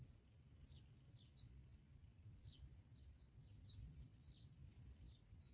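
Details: Bar-winged prinia chicks, being fed black locusts by both parents, give thin, very high, downslurred squeaky begging calls in quick bursts every second or so over a low background rumble.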